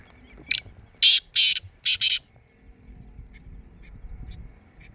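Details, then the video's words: Black francolin calling in the morning: a few harsh, broadband grating notes in a quick burst, then quiet with faint distant chirps and low background rumble. "kala teetar ki awaz"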